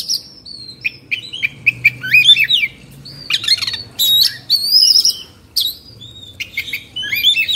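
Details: Oriental magpie-robin (kacer) from Indonesia, agitated and in 'kongslet' mood, sings a varied string of clear whistles, slurred high notes and brief scratchy chatter, with some pauses between phrases.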